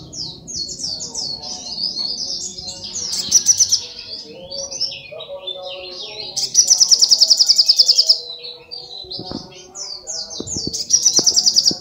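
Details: Brown-throated sunbird, sogok ontong, singing at full strength: high, chattering warbled phrases alternating with three fast, buzzy trills of rapidly repeated sharp notes, plus a few soft knocks near the end.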